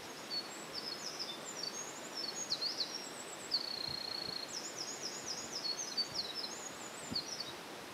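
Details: Eurasian wren near a mountain stream, fluffed up and relaxed while preening, singing now and then: a fast, high, tinkling run of trills and twittering notes with a sustained high buzz midway, over steady stream noise.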